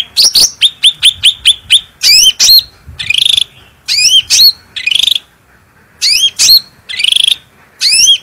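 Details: Bulbul in powerful, clear song used as a lure and master for training: a quick string of hooked chip notes, then repeated phrases of slurred high whistles alternating with buzzy trills.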